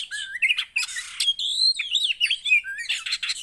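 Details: Javan white-eye song used to get a quiet cage bird singing again: quick high slurred whistles and chattering twitters running together in a lively, unbroken phrase.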